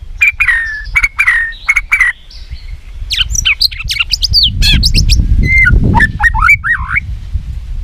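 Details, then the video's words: White-rumped shama song for training other shamas: repeated harsh falling notes, then rapid chattering trills and twisting whistles, with a loud low rumbling noise building in the middle. "isan muray bagus,cocok buat pancingan gacoran muray batu isiann mewahh"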